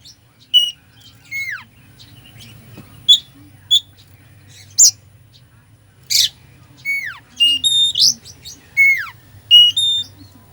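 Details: Oriental magpie-robin with a song full of mimicked phrases, played to provoke a sluggish bird: scattered sharp chips and several long downward-sliding whistles, interspersed with bright level whistles and harsh bursts over a quiet background.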